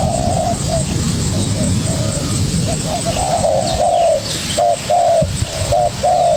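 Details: Young spotted dove answering a decoy bird: faint low coos at first, then louder, clearer hooting notes toward the end, with a low rumble underneath.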